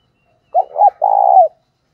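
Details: Decoy spotted dove giving its call to lure wild doves: a single crisp phrase with two quick rising notes and then a long, smooth, gently falling coo, clean and close.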